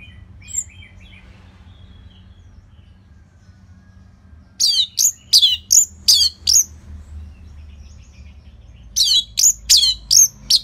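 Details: Orange-headed thrush singing as a lure to train other songbirds: after a few faint calls, two runs of five or six sharp, high, rising-and-falling whistles come in quick, even succession, separated by a pause of several seconds.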